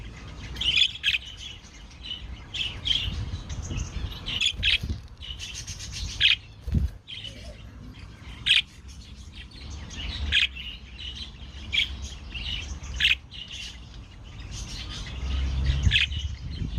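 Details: Budgerigars (Melopsittacus undulatus) in a colony at night give chatter calls, bursts of high, scratchy chirps and warbles over a low background rumble.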